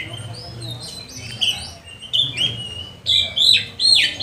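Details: Oriental magpie-robin song, a lure recording meant to train and provoke other magpie-robins into singing, made during lockdown: bursts of loud, varied, high whistled and rasping notes, sliding up and down, in quick phrases with short pauses, over low background hum.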